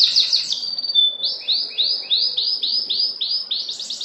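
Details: Mating canary giving high song: a brief rapid trill and a thin pure whistle, then about nine loud repeated downward-sweeping notes in steady rhythm.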